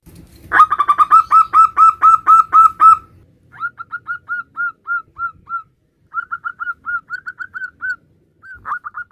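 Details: Male zebra dove, local type, calling its partner: opens with a loud, fast, harsh series of coos, followed by gentler, evenly spaced soft notes in several short runs with brief gaps.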